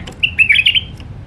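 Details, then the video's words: Wild Iraqi White-eared Bulbul singing in the refined Alwazi style: one short warbled phrase of quick, rising and falling whistled notes, bright and clear over a quiet low background hum. "تغريد بلبل عراقي وحشي طور علوازي راقي"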